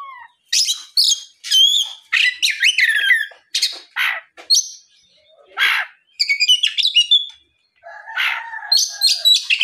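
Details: Afternoon song of an Oriental magpie-robin, used as a lure so other magpie-robins reply and sing; rapid mix of sweet whistles, rasping notes and chattering bursts, with a lower warbled phrase near the end.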